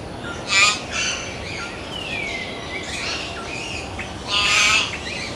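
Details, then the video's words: A common hill myna, a mountain bird found in India, gives two loud, harsh squawks about four seconds apart, with clear whistled and warbling notes between them. "Hill Myna Birds Beautiful Sounds"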